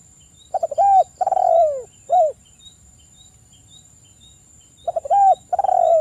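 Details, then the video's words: Spotted dove coo song used as a lure to call a rival: rapid stutter, long descending hoarse coo, short final coo, given twice, with faint background ticking and a high steady whine. "TEKUKUR GACOR suara merdu - (PANCINGAN TEKUKUR) MEMANGGIL LAWAN BUNYI EMOSI MANGGUNG GACOR"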